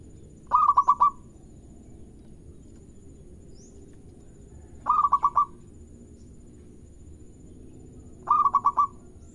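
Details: Local zebra dove in full song, meant to prompt other birds to sing: three evenly spaced phrases roughly four seconds apart, each five throbbing coos run together into a short drawn-out ending.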